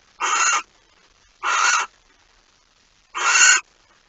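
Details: At the barn owl nest, 26 August 2019 around 05:14, with a mouse being brought in: three drawn-out, grating hiss-screeches, the last slightly louder, separated by pauses of over a second.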